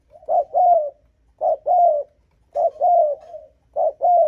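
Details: Spotted dove provoking rival males with strong, close coos: repeated two-part phrases, a clipped note then a drawn-out falling coo, delivered four times about one second apart in quiet surroundings.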